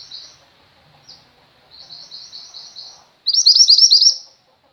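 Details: Female mountain white-eye in full song, offered as training material for pet white-eyes: soft high buzzy trills, then a loud rapid run of chattering high notes, in otherwise silent surroundings.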